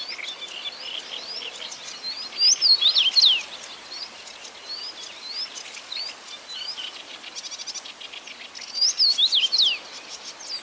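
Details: Two matching whistled phrases from a common rosefinch, about seven seconds apart, each a rapid run of up-and-down slurred notes; scattered thin chirps from other birds fill the gaps.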